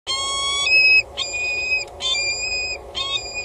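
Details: Peregrine falcons at a water tower in Axel, Netherlands, at 15:23 on 6 March 2018, a mated pair not yet with eggs, give four high, nasal wailing calls of about half a second each with short gaps, over a steady low rumble.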